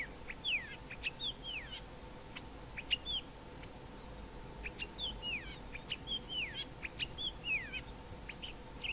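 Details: A male Common Fiscal (Southern fiscal) on Mountain Drive, Grahamstown, sings a varied run of sharp, sliding whistles and chips, mimicking fynbos birds such as the Wailing Cisticola and Cape Grassbird, over a steady low background hum.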